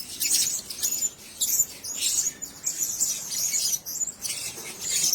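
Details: Blue-crowned hanging parrots housed in a single cage produce rapid, piercing high chirps in clustered bursts roughly every half second, a busy overlapping chorus.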